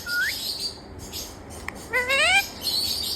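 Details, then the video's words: A talking parrot gives two calls: a short rising whistle, a pause with a click, then a longer harmonic voice-like note that climbs steadily. "Amazing Talking Parrot"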